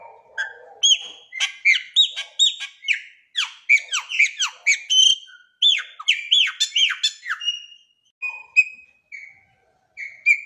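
A Chopi blackbird sings a rich, fast run of loud whistled notes, many sharply down-slurred, with varied phrases and short pauses, after a brief soft rustle.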